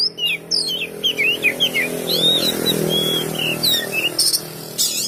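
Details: Oriental magpie-robin whistling a string of sliding, looping notes, later joined by a loud droning engine-like noise, with a few sharp high bursts near the end.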